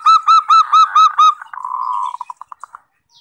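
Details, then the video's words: A zebra dove lure call, used to attract wild zebra doves: six quick, hollow cooing notes, then a drawn-out purr that breaks into a slowing, fading string of short staccato beats. "SUARA PIKAT PERKUTUT"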